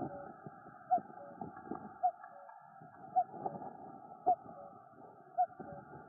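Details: A common cuckoo in the Noordduinen dunes near Den Helder calls its falling two-note cu-koo about once a second, five times in a row, over a steady background hum.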